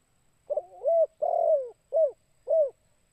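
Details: Spotted dove giving a kuk 2 style lure call: a stuttered double coo, a long mellow downslurred coo, then two short rounded coos, all low and hollow, in a quiet recording with a faint high steady tone.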